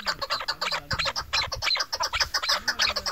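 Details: A female chukar partridge (Alectoris chukar), apparently farm-kept, gives a rapid, harsh chuk-chuk chatter, about three notes a second, with a faint low hum underneath.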